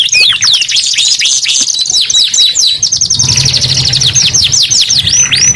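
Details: Canary singing a rapid, loud song of high, sweeping notes and fast trills, with a brief flat whistled note near the middle and a dense run of quick descending slurs in the second half.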